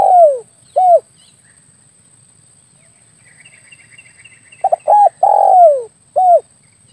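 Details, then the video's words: Spotted dove cooing as a hunting lure: low mellow phrases, each two quick coos, a long downward-sliding coo and a short final coo, separated by pauses with faint high chirps from another bird. "SUARA PIKAT BURUNG TEKUKUR/DERKUKU"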